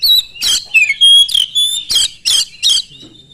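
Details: Oriental magpie-robin song used as a lure to draw other magpie-robins into singing: loud harsh rasping notes repeated about every half second, with clear pure whistles slipped between them.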